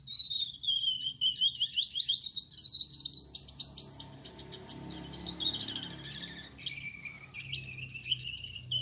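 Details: Gouldian finch male (yellow back, red head, white chest) singing vigorously at night: a long, high, wheezy, rolling buzzy song with a slightly lower buzzy passage toward the end and a soft background rumble.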